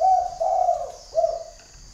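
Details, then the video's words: Decoy spotted dove in northern Vietnam calling to a distant wild dove in the forest: a close, clear run of three low, slightly falling coos. "CHIM CU GÁY MÔi CÂy Có bộ cườm Khủng"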